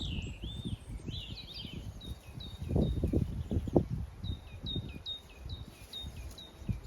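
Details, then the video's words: Birdsong at 7am on a drizzly morning: a high bird repeats a short downslurred chip steadily, after brief warbled phrases, above low rumbling and thudding background noise. "7am drizzly morning birdsong"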